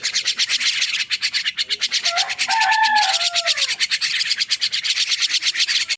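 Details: A young starling, freshly awake, keeps up a steady stream of fast scratchy chirps, nearly three per second. A brief lower sliding tone sounds faintly underneath midway through.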